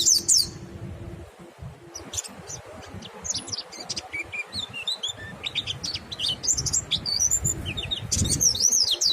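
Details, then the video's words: Ngalas song of a white-eye, meant to set other white-eyes singing: sharp high-pitched chirps and tinkling trills, sparse at first, then denser and more lively toward the end, over faint low background noise. "suara monty NGALAS merangsang monty YANG LAIN IKUT BUNYI"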